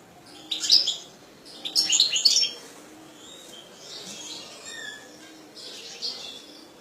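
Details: Twittering song of a kept European goldfinch, two loud bursts of quick, tinkling, high-pitched notes followed by softer, fainter twitters and a short thin whistle.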